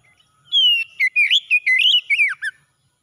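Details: Morning song of the oriental magpie-robin, aimed at reviving stressed birds: a falling whistle leads into six or seven rapid, looping whistled notes that rise and drop, ending with a sharp downward slur.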